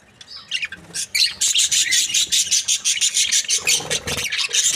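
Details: Chirping from a happy budgerigar breeding pair: fast, evenly pulsed scratchy clicks and chirps, roughly three per second, forming a rattling chatter after a softer start.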